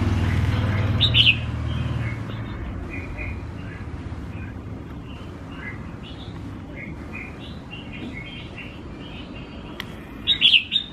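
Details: Tamed red-whiskered bulbul, used to people after a week, singing: short chirpy notes and brief whistled phrases scattered through the clip, with a couple of louder bright bursts, over a steady low background rumble.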